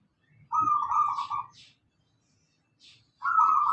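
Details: Local zebra dove singing, used as a lure for cage birds: two purring, trilled coo phrases, the first about one second long, the second starting after a short pause and running to the end.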